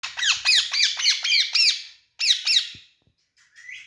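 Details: Young pet green parrot playing on a rod, giving a rapid run of harsh, squawky chirps, each note dipping then rising, about eight in quick succession, then a short pause and two more, ending with a faint rising note.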